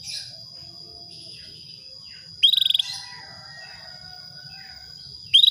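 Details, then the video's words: ['Female canary calling to stir a male into breeding mood, giving brisk pulsed trills, one mid-clip and another at the very end. A constant thin high-pitched whine and faint background chirps fill the gaps.'] "PANCINGAN KENARI BETINA MEMANGGIL JANTAN"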